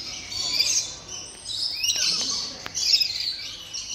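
A blue-streaked lory gives harsh, hissing screeches in rough bursts over four seconds, broken by a few sharp clicks, with faint voices in the background.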